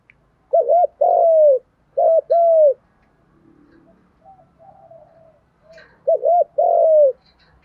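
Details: Training call of spotted doves, male and female, in the thúc gù style; three phrases of a short paired note followed by a long descending coo, separated by a quieter stretch of faint, low murmuring coos.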